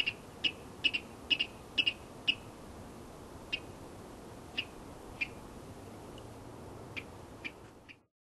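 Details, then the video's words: Male Virginia Rail giving a courtship call at a pond and wetland edge near Marys River Natural Area, Corvallis, Oregon: sharp, dry ticking notes, paired at first then single, a few seconds apart, over a low steady hum. "Virginia Rail calling"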